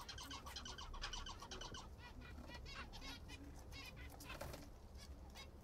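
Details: Several captive zebra finches feeding on a favourite food, with rapid nasal, buzzy call notes crowded together in the first two seconds, then sparser calls over low background hum.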